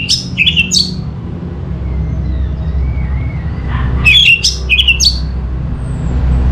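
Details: Orange-headed thrush (anis merah) song used as a lure recording: two bursts of sharp, rapid chirping notes, one at the start and one after a pause, with a faint thin whistle between them and a low rumbling background.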